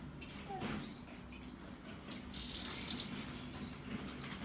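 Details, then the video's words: Cinereous tit on Monday 15 September delivering one 'tembakan' burst: a sudden, very high, dry rattling trill lasting under a second after a quiet lead-in with faint background hum. "TEMBAKAN GELATIK BATU!!!!!!"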